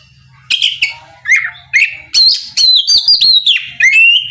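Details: Oriental magpie-robin belting out rising and falling whistled notes in quick succession, a song to provoke a rival to respond, with a low steady hum beneath.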